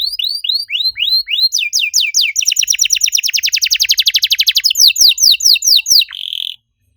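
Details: Canary master song, used to draw out other canaries that have stopped singing: rising whistled notes, then a fast run of buzzy repeated trills, about four a second, ending in a short rolling tour before silence.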